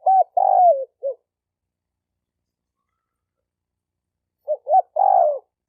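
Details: Male spotted dove calling to attract hens. Two phrases of soft low coos: quick short notes leading into a long wavering coo that sinks in pitch. Nothing else is audible.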